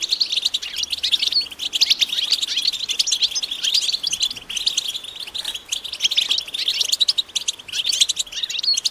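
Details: Group twittering of European goldfinches outdoors, offered as mating calls to end a male's silence. Many voices blend into a lively, continuous stream of rapid high chirps and trills with no pauses.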